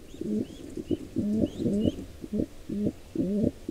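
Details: Wild pigeon at a nest during an attack on a nestling by an intruder pair; deep looping coos repeated about twice a second, with faint high chirps above.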